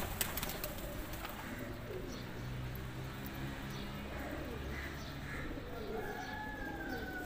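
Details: Domestic pigeons let out of their loft at eight in the morning to feed on grain; soft, low cooing runs through the clip, with a thin drawn-out whistle near the end over rural outdoor background.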